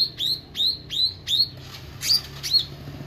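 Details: Meranti bird singing actively: a series of downward-curving whistled notes near the same pitch, about four in quick succession, then a pause and two brighter sweeping notes, with faint low background hum.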